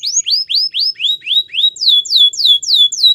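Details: Canary singing a training song, a steady chain of rising whistled notes that shift into falling sweeps, about four notes each second.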